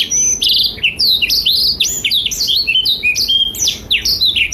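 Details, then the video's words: Blackthroat in full song, recorded as a tutor for young and adult canaries: quick chains of clear whistled slurs and sharp chirps, tightly packed and high-pitched, with a few tiny pauses. "Blackthroat Gacor Masteran Terbaik untuk Kenari Paud dan Dewasa"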